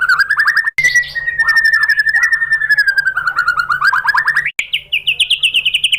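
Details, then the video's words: Pancingan song of a white-rumped shama, used to make other shamas answer: rapid rolling trills of rich, buzzy notes sliding gently downward, then rising toward a higher, sweeter run of quick notes after a short break. "pancingan MURAI BATU BIKIN EMOSI NYAUT GACOR BONGKAR MATERI"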